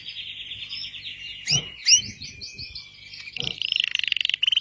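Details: Red Belgian canary producing soft warbling, two sharp upward-sweeping notes, then a quick pulsed trill toward the end.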